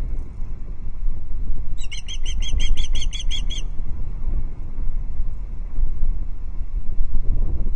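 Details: Perched female osprey at a Loch Arkaig nest camera, 5 August 2022, alarm calling at an intruder osprey: one rapid burst of around ten sharp, high chirps lasting under two seconds, set in steady low rumbling noise.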